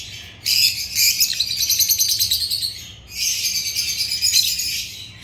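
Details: African lovebirds singing in two loud, dense bursts of shrill, trilled chirping, each lasting over two seconds, separated by a brief quiet gap.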